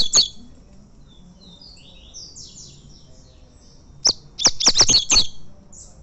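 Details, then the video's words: Champion tournament Double-collared seedeater (coleiro) in fibra-style competition: one sharp high note, a pause, then a rapid burst of about six loud, clipped chips. Faint thin whistles from other birds drift in the background. "Coleiro campeão e galador torneio fibra."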